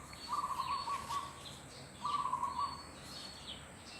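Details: Wild zebra dove feeding on grass in front of a house, approached to about two meters and unafraid; two rolling, trilled mid-pitched coos of about a second each, separated by a short pause, with faint high chirps from other birds.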